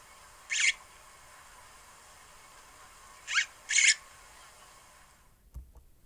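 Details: Nest-building Red-headed weaver uttering single harsh, hissing rasps, one alone and then a quick pair, over a steady background hiss, ending with a faint thump.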